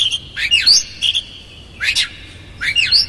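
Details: Oriental magpie-robin, a provoking lure with rough fill-ins, giving three quick phrases of crisscrossing whistled sweeps rising and falling, linked by a flat clear whistle.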